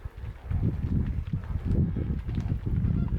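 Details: Flamingos at night at saline, alkaline Lake Ndutu, southern Serengeti, Tanzania, a trio feeding on the move, give a steady, low gabbling chatter of deep grunts and muffled honks, overlapping with no clear pause.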